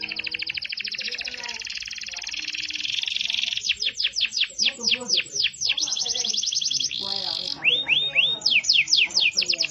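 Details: A yellow Belgian canary sings long, rolling high trills, shifting into fast repeated downward-sweeping notes several per second, with a brief buzzy trill near the end.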